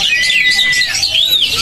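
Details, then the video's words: A caged Oriental magpie-robin (kacer) sings in a contest-simulation recording meant to fire birds up: a long, clear, slightly falling whistle, then a quick rising-and-falling phrase over a dense chatter of high notes. "SIMULASI LOMBA BURUNG KACER GACOR"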